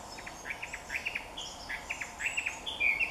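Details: A Chinese hwamei singing close by at Jike Furusato Village, Japan, gives a quick run of short, bright, down-slurred notes, ending in a clearer whistled phrase, over a soft hiss of background noise.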